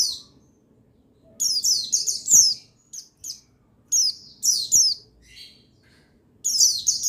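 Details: Male buxtoni white-eye singing to encourage white-eyes to sing: three long bursts of dense high warbling twitter with a few isolated thin chips between, near-silent background.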